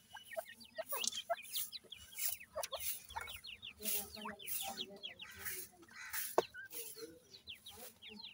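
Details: Many grey francolin chicks peep continuously as they are fed, with thin falling chirps tumbling over one another. Soft bumps and a faint background hum are also heard.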